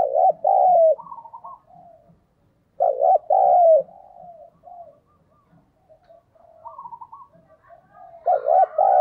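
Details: Spotted dove used as a decoy bird, cooing to lure wild doves; loud two-part coos, a short note then a longer falling one, repeated with softer murmuring phrases between.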